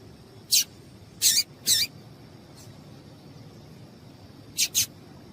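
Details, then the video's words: Female yellow-bellied seedeater giving piping calls meant to make a male sing quickly: sharp, high, clipped notes, some paired, in bursts with pauses of about three seconds, over a constant thin electronic whine. "Esse Piado de Fêmea de Papa capim é Seu Papa capim Vai Ficar Cantando RÁPIDO!!!"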